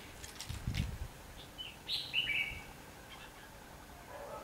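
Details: Red-whiskered bulbul decoy song used in trapping, recorded 19 November 2015: a brief burst of bright warbled notes around the middle, with low rumbling handling noise near the start.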